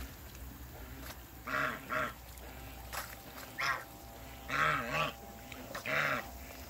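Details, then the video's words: A pair of African geese calling as they meet each other: loud, nasal, harmonic honks in short bursts, some doubled, repeated about every second or two, with low background hum. "MEETING COUPLE AFRICAN GEESE"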